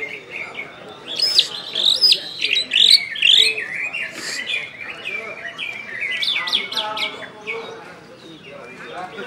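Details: Kept greater green leafbird of the West Kalimantan type, singing ngentrok and nembak style: loud, sharp rising whistles fired off in quick succession, mixed with chattering, rattling notes and fast twitters.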